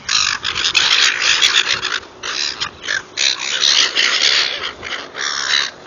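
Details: Noisy gulls at feeding time, calling loudly with harsh, screechy cries in overlapping clusters that swell and fade every second or so.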